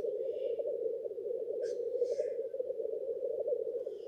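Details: Male black grouse displaying at a lek to impress females: an unbroken, low bubbling coo rolls on throughout, with a brief hissing sneeze-like burst near the middle and faint higher notes.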